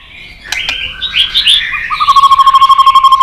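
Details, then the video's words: White-rumped shama on a perch, singing with many varied voices: a few soft warbled whistles lead into a fast, even series of short repeated notes, about seven per second, steady in pitch. "chòe lửa hót giọng dây dài.đập đuôi sàn cầu đảo giọng kích thích căng lửa chòe lửa hót nhiều giọng"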